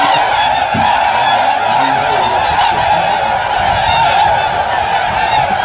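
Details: Huge flock of Tundra swans calling while trying to take off after being spooked by a deer, Aylmer Wildlife Management Area, Ontario, Canada, 18 March 2017; a dense, continuous chorus of overlapping honking, bugling calls with no pauses.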